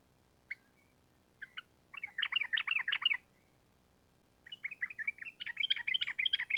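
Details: Sooty-headed bulbul in gacor voice: a few isolated notes, then a quick burst of chattering whistles, a pause of over a second, and a second long rising run of rapid notes typical of ropel panjang.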